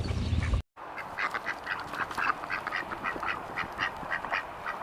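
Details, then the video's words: After a brief loud thump and a moment of silence, a flock of ducks bursts into repeated harsh quacks, many short nasal calls packed closely together. "duck sounds"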